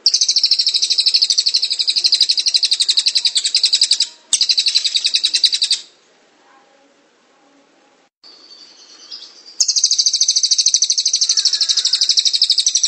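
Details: Cililin singing ngrol style, a rolling song of long buzzy high trills of rapid notes, about four seconds each with brief breaks, then a quiet pause and a short squeaky phrase.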